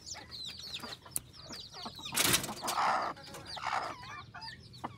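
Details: Hybrid junglefowl, an F2 decoy fowl cross, from village life in Phon Thong, Roi Et, Thailand; rapid high curved peeps repeat quickly, interrupted midway by a loud rushing noise burst and a brief harsher sound, then the peeping resumes.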